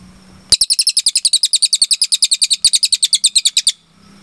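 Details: Cililin delivering a long, clear 'tembakan' for cage birds to copy: about three seconds of quick, bright, high-pitched chirps repeated at a steady rate with one short break, then quiet.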